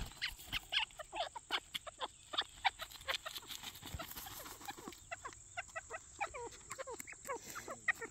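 Grey partridges give a busy stream of short, sharp chirps and creaky notes in quick, overlapping bursts, over a steady high-pitched hiss.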